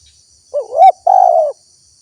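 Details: Spotted dove lure call meant to draw wild doves and set them calling: one phrase of a wavering rising coo followed by a long level throaty coo, with a faint high hiss throughout.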